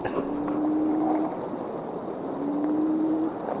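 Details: Plains-wanderer recorded in 2015 at Deniliquin, Australia, giving two long, low, steady cow-like moaning notes about two seconds apart, over a constant high insect drone and background hiss.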